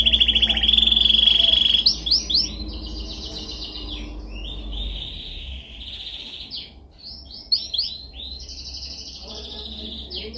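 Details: Training song of a canary: a long steady whistled trill, then a series of sweeping rolled phrases that fade and return, with low hum underneath.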